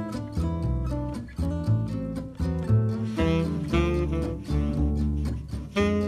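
Acoustic guitar music of plucked and strummed notes, with no animal sound heard.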